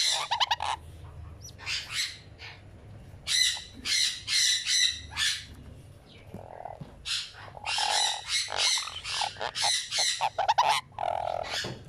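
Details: Ten-day-old sun conure baby during feeding, giving rough, buzzy squawks in quick bursts, several short clusters of harsh notes separated by brief pauses, with a low steady hum underneath.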